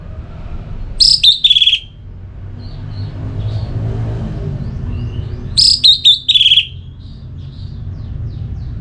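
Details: Orange-headed thrush song, meant to rouse other birds into singing: two short bursts about four and a half seconds apart, each a clicky onset sliding into a descending whistled slur, with a steady low hum between.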